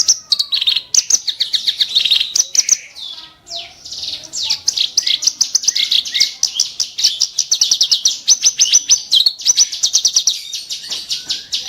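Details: Sharp, harsh kerak basi song: extended fast sequences of high rasping notes in rapid rattles, briefly broken by a short pause, then a long insistent chatter.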